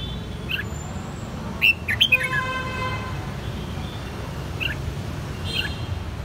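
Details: Hand-raised red-whiskered bulbul kept in Saigon, Vietnam, since the white-cheeked juvenile stage, giving a few separate chirps and a short loud cluster of notes over a steady low background noise.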